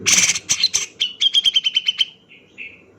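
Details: Male cucak jenggot singing: loud harsh rasping bursts give way to a fast run of about ten even, clipped whistled notes at one pitch, ending in two soft fading whistles.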